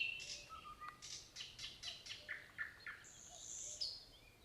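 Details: Nightingale delivering a run of loud, evenly spaced, slightly descending notes after a low whistle, then a sustained high trilled note, in a quiet setting.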